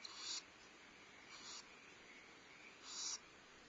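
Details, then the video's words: Barn owls at a nest at Starr Ranch on 14 February 2011, female feeding owlets while the male brings prey; three breathy, high hissing bursts, each about a third of a second, over steady background hum. "Barn Owls: 2011-02-14: Feeding owlets, prey delivery, bonding, loud noise"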